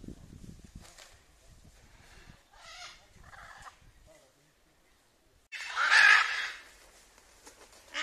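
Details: Rescued Blue-and-yellow macaw, rehabilitated after captivity, at its release into the wild: after quiet rustling and faint murmurs, one loud, raspy squawk bursts out near the end, with another starting just as the recording ends.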